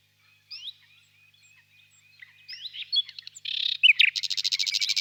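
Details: Warm spring evening, birch grove: faint whistles and upslurs from a distant nightingale lead to a burst of harsh notes and then a loud, fast rattling trill.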